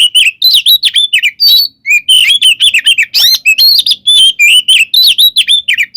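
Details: Oriental magpie-robin delivering a nonstop fighting song to provoke rivals: dense, fast sequence of loud whistled slurs and harsh chattering notes with barely any gaps.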